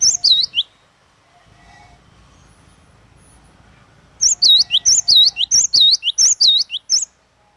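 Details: Energetic song of a cinereous tit (glatik watu): a brief burst of piercing whistles, a quiet gap with soft background rumble, then a long run of repeated two-note phrases, a sharp rising chip and a swooping dipped whistle, in steady rhythm.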